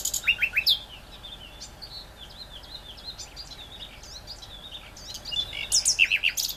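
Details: Great reed warbler song opening with three quick repeated chirps and a harsh burst, then a stretch of softer twittering, and ending with more loud repeated grating notes.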